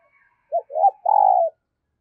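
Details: Decoy spotted dove cooing early in the morning to call in wild doves: a short low note, a rising note, then a long buzzy coo sliding down at the end, on a quiet background.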